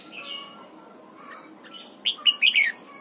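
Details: At dawn, a red-whiskered bulbul in training for the wild double-note song gives a loud, quick run of four bending, warbled notes near the end, following softer chirps and quiet background sound.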